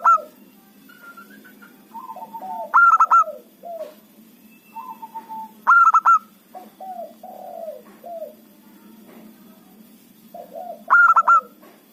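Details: A loud local zebra dove acting as a trapping lure repeats its song three times, roughly every four seconds: soft level and falling coos building into a punchy burst of quick hollow notes.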